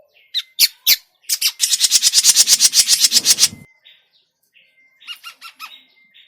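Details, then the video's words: Grey-cheeked bulbul calls played as a trapping lure: a few sharp clicks, then a long, harsh, buzzy rattling chatter of rapid pulses lasting about two seconds, followed by softer stuttered notes and a thin steady tone. "SUARA PIKAT CUCAK JENGGOT MINI"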